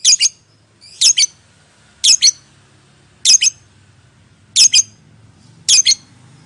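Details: Lovebird calls used as a lure for silent lovebirds: paired shrill, grating chirps repeated roughly once a second, regular in rhythm, over a low background hum.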